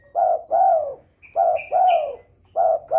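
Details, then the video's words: A spotted dove in breeding condition calls to provoke rivals into answering. Loud, mellow coos repeat back to back, each a brief note followed by a drawn-out, slightly descending croon. A faint high whistle sounds between them. "DERKUKU birahi gacor merangsang lawan ikut bunyi.."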